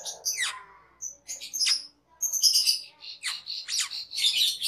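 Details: Caged cucak keling singing for a training master: a falling whistled slur, then dense high chattering squawks and trills that grow busier toward the end.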